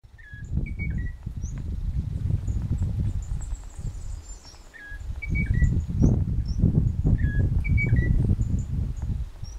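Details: Munchique Wood-wren at La Mesenia reserve in the Tatamá–Caramanta Biological Corridor, Colombia, giving short, clear whistled phrases of two or three notes, repeated every few seconds, over a steady low wind rumble.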